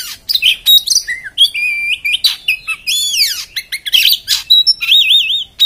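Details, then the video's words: Loud, harsh Oriental magpie-robin (kacer) song: fast medley of sharp chirps, clear whistled notes, descending sweeps and a final wavering trill-like whistle, phrases packed closely together. "kacer beset beset kasar bikin emosih"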